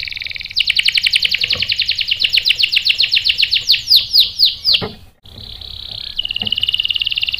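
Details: Canary lure song for provoking other canaries to reply: a long, quick pulsed roll easing into swooping whistles, a brief pause, then a steady buzzy trill.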